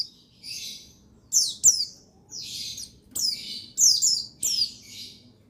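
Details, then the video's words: Buxtoni white-eye male, recorded 8 August 2021 as a song trigger for other white-eyes: shrill, scratchy chirped phrases, some with steep downward slurs, eight bursts in quick succession with short gaps. "Buxtoni Menaikan Emosi Burung Pleci Bahan Agar Pleci Bustomi Gacor Cepat Bunyi"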